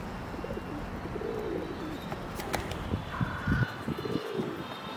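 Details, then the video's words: Feral pigeon (Columba livia domestica) in Prule, Ljubljana, on 27 February 2023, giving low, throaty rolling coos that rise and fall, with a faint higher whistle-like note midway and light background murmur. "Columba livia domestica MESTNI GOLOB"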